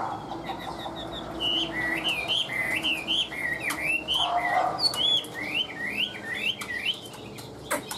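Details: Tame captive Chinese hwamei delivering an even, steady song: rapid zigzagging whistled phrases repeated about twice per second, each note sweeping up and down, with a lower murmur in the middle and light background hiss.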